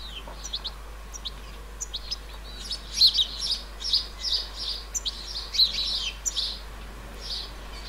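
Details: Juvenile European goldfinch calling in a countryside flower bed in central France on 30 July 2019: thin high twittering notes in loose clusters, louder in the middle, over a faint steady background hiss.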